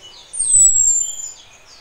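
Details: Female Orange-headed thrush (Geokichla citrina) in breeding condition calling the male: thin, very high drawn-out whistles gently sliding downward over about a second, with faint low thumps beneath; Orange-headed thrush.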